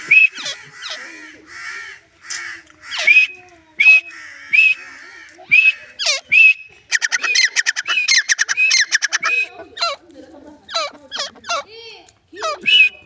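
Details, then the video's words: Grey francolin (Dakhni teetar) giving a long, uneven series of high arched whistles mixed with rapid clicking bursts and sharp squeaky notes, speeding up in the middle before slowing again. "Teetar voice # teetar ki awaz # gren francolin voice"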